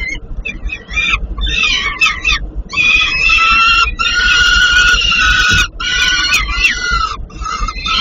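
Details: Peregrine falcon nestlings in Płock, Poland, calling during feeding: a dense chorus of hoarse, screechy wails and rapid chattering in sustained bursts, several birds overlapping, with only short pauses.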